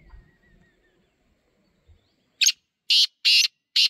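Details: Wild black francolin calling outdoors: after near silence with faint thin whistles, a series of loud, harsh, grating bursts starts midway and repeats rapidly to the end.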